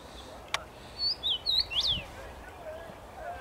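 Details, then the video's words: Common rosefinch singing in a tree on 23 May 2021: one short whistled phrase of four clear notes, the last note rising then sliding down, with a sharp click just before it and a quiet outdoor background. "Dziwonia śpiewa na drzewie"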